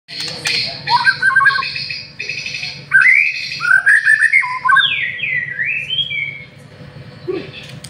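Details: White-rumped shama, a prized master-song bird used to lure singing, delivers varied rich whistles, rising slurs and buzzy harsh bursts in a lively run, with a faint steady low hum underneath.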